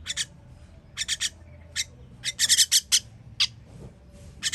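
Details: Feeding of baby birds on 21.06.23; scratchy hissing begging notes come singly and in bunches, building to a dense rapid burst midway, over a low hum.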